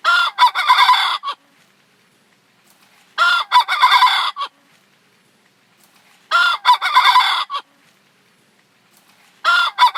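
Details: Decoy rooster crowing to call in other roosters for trapping: four brief, segmented cock-a-doodle-doo crows repeated at a steady interval of roughly three seconds, separated by near silence.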